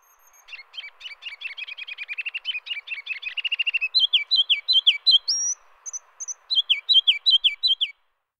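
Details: Ruby-crowned Kinglet song, loud for so tiny a bird and used to establish territories, more often in spring. It opens with a quick, rapid run of high, thin chattering notes. The song then switches abruptly to loud, repeated two-part whistled phrases, about eight times, in a quiet background.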